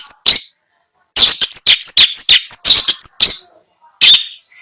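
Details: Long-tailed shrike, caged at a Bondowoso bird seller's during selection for purchase: a high whistled note, a pause, then a rapid string of rasping notes mixed with short piping whistles, ending in a lone harsh call.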